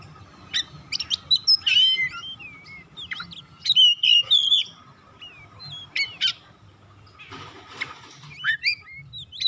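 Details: Stimulating song of an Oriental magpie-robin for birds that have stopped singing: quick runs of varied whistles and chirps, a loud burst near the middle, then a short harsh rasp and thinner notes, hum in the background.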